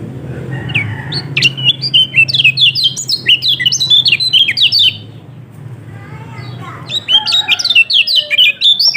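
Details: Yellow-throated white-eye song for coaxing a reluctant bird into singing: two bursts of fast, high, slurred whistled notes separated by a quieter spell with a faint low hum.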